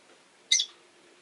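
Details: A single short, harsh, high-pitched chirp comes from a rosy-faced lovebird, one of five kept in a cage beside a window, against near-silence.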